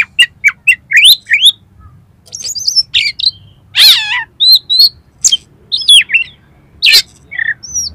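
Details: Oriental magpie-robin song meant to trigger a kacer to sing and open its tail: rapid varied whistles, sharp chips and a loud harsh rasping burst, delivered in quick phrases over about eight seconds.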